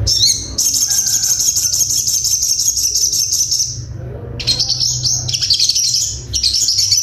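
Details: Ruby-cheeked sunbird, locally sogon, delivering a full 'tembakan' song: a sustained high rattling trill lasting several seconds, a short pause, then more choppy high trilled phrases, low background hum.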